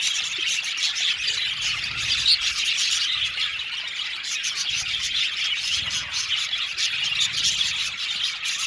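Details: Budgerigars of a 70-pair aviary colony chirp and twitter nonstop, many voices blending into a thick, high, scratchy chatter with occasional louder squeaks standing out.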